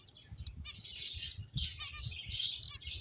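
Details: Finches, apparently pet birds at play, giving a dense run of high, buzzy chirps and twittering notes that overlap with hardly a pause, over a soft low rumble.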